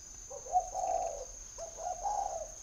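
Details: Spotted dove held in a bird garden near Hanoi, northern Vietnam, delivers two gentle hollow coos, each opening with a quick short note before a longer wavering low phrase, against a steady faint high-pitched hum.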